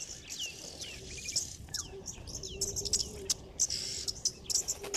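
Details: Yellow-billed Oxpecker at a waterhole in the Sabi Sand, Djuma, South Africa, on 5 January 2024, giving harsh, hissing rasps about once a second, a call that alerts to mammals' presence, mixed with other birds' twittering and falling whistles over a low hum.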